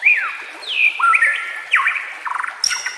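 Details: A white-rumped shama sings in a track meant as a lure and for training quiet birds, with nature sounds and water beneath. Long, sliding whistles rise and fall, then a quick stuttering trill and a sharp high note follow.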